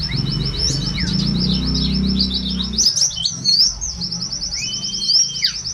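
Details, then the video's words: Mountain white-eye of the buxtoni form singing a fast, even, high-pitched twittering trill with scattered downslurred chips and a brief upward whistle, over a steady low droning hum that fades halfway through. "burung pleci buxtoni media vitamin"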